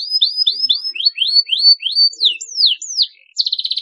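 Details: Canary chirping used as a lure ('pancingan') to get young canaries singing. A run of quick, downward-slurred whistles about three per second, then higher swooping notes, ending in a fast buzzy trill.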